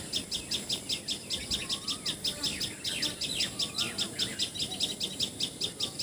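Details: Rapid, insistent high chipping series of a common tailorbird in Assam, India (Assamese names patxhia sorai and tiposi sorai), about two and a half notes per second, with soft lower whistles from other birds underneath.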